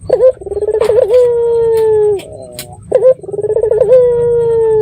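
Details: Lively red-eyed dove lure call for drawing other doves to answer: a rapid pulsing trill runs into a long, gently falling coo, given twice in succession.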